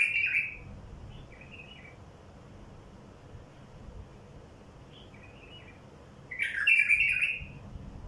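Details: Luring song of a wild bulbul aimed at wild bulbuls: a sharp warble at the start, two soft short phrases spaced apart, then a loud fluttering warble near the end over faint hiss.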